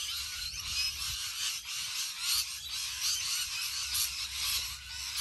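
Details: Rainbow lorikeets massed in a huge flock, an unbroken chorus of piercing, scratchy screeches and chirps layered over one another, with a few clearer whistled notes standing out above the steady high-pitched roar.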